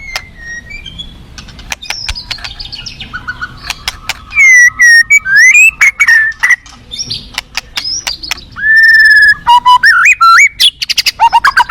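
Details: Wild forest white-rumped shama song begins quietly with soft notes and ticks, then swells into loud clear whistles, steady held tones and rapid rising slurs toward the end, with faint river flow in the background.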